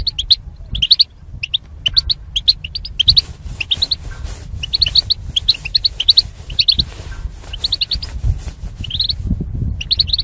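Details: Goldfinch song for singing training of caged birds paired for mating: high, clipped chirps in rapid runs and double notes, pausing briefly between bursts, with constant low background hum and occasional clicks.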